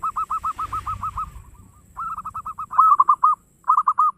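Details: Local zebra dove in the fast ngayer engkel singing style, played as a lure to get other birds singing: bursts of quick, rounded cooing notes in runs of six to eight, briefly pausing, over a faint low rumble.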